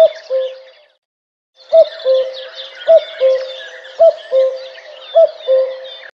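A common cuckoo repeats its falling two-note cuck-oo about once a second, over a busy high chorus of other birds.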